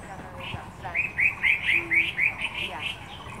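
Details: Taiwan scimitar babbler in a botanical garden, recorded on 24 January 2015. It gives a quick run of about ten short, clear, slightly rising notes, closely repeated in a lively chatter, with a faint low hum behind.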